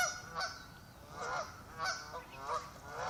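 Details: Short burst of duck warning calls on a lake as the birds paddle away from the shore: four rough, nasal honks spaced about half a second apart over light background noise.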